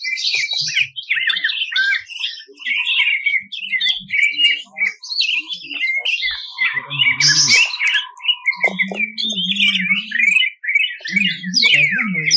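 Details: Champion greater green leafbird from 2021 national contests in 'tembakan kasar' style: varied, rapid high warbles and harsh slurred notes in bursts, with a brief low steady hum and faint low sounds underneath.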